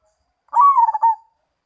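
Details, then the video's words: Single cooing phrase from a zebra dove, perkutut Mojopahit: a low, throaty, quickly pulsed coo, rising briefly then falling into a clipped final note, lasting under a second against silence. "Perkutut Mojopahit"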